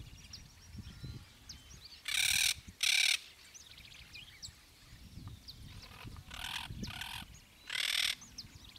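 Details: Yellow-headed caracara, called chimachima, at Gualeguaychú, Entre Ríos, Argentina, giving four harsh, broadband screeching bursts, two in close succession and two later, each about half a second long, over faint background birds and low rumble.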